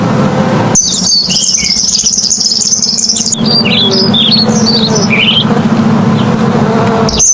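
Purple sunbird song: a long high buzzy trill, then a rapid run of thin, sharp, jumping notes, over a steady low hum.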